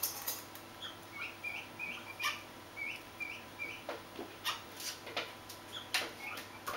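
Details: A Swinhoe's pheasant (Lophura swinhoii) chick gives thin, high, slightly arched peeps, several per second in loose runs, with soft tapping and scratching sounds around it.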